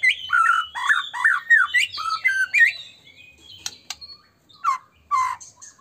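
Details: White-rumped shama singing as a lure to make other shamas sing: a quick series of varied, looping whistles, then sharp clicks and a few isolated slurred notes after a short pause.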